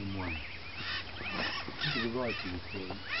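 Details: Northern red-shouldered macaws: a dense, busy chorus of overlapping harsh, squawky calls with rising and falling slurred notes, several birds calling at once without pause.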